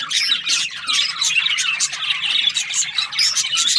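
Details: Breeding pairs of budgerigars give an unbroken stream of shrill chirps and scratchy squawks that overlap into a busy high chatter.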